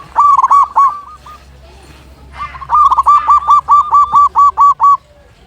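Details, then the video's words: Big-voiced local zebra dove: a short burst of cooing notes, a pause, then a long, loud, even run of about a dozen rhythmic coos. "Perkutut Lokal Gacor Suara Besar"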